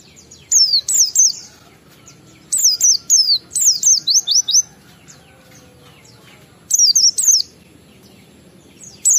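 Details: Oriental white-eye singing ngalas lure song to get other kept white-eyes calling: clusters of high, falling whistled notes in groups of two to five, spaced by pauses of one to three seconds.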